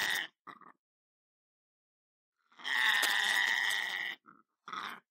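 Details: A pet lorikeet, recorded for entertaining parrots, gives short harsh squawks, then a long grating screech of over a second, followed by two brief raspy notes.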